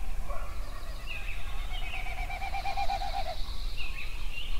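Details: Yellowstone songbirds at sunrise: a steady low pulsed trill lasts about two seconds, with a brighter repeated trill above it, faint high buzzes and scattered chirps, under a continuous low rumble.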